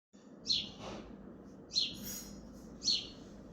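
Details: House sparrow chirping on a balcony in Hazaribagh, India: three bright, short descending chirps spaced about a second apart over a low steady background hum.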